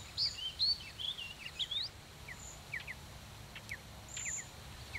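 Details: Mountain bluebirds in Alberta around a nest box and nearby aspen woodland: a quick run of high, wavering whistled notes, then scattered short, falling chirps and one long, high, steady whistle, over a faint low hum.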